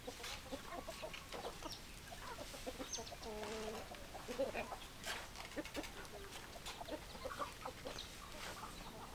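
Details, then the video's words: Many chickens cluck together: clipped, scattered notes from several birds at once in a noisy, busy yard, with one slightly longer drawn note partway through. "Chicken Sounds Noises Hens Clucking Roosters Crowing"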